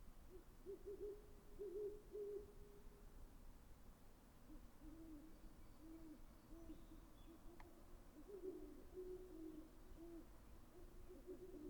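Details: Great horned owl hooting in long low runs, a slightly higher series early on, then lower hoots and a later return to the higher pitch, over steady low rumble with one brief click.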